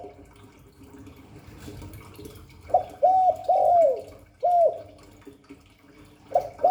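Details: Spotted dove, 'Hạp Bổi' cooing style: after quiet background noise, a phrase of several mellow arched coos with a falling drawn-out note, a separate coo a second later, and a new phrase starting at the end.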